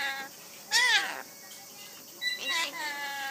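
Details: Rainbow lorikeet speaking, mimicking the Japanese peekaboo phrase "inai inai baa"; two short, bright, harmonic voiced phrases about one and a half seconds apart, with quiet indoor background between them.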